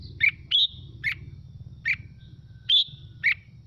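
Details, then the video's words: Red-whiskered bulbul singing, its song played to stir other birds into singing along. Short bright whistled phrases, some slurred upward and some ending in a thin trailing tone, come about every half second over a steady low hum. "Mào Mộc Hót Hay Kích Chim Hót Theo Để Lên Lửa"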